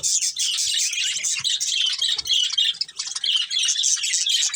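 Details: Steady high chirping and warbling from a budgie colony with a breeding pair, many birds calling together in a dense, unbroken chorus.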